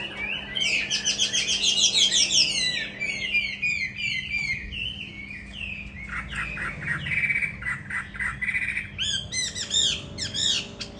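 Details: Caged Hwamei, a tamed fighting bird filmed on an upper floor indoors, sings a long, varied song: fast trilled whistles, then slurred phrases of falling and rising notes, and quick rippling sequences with brief gaps between.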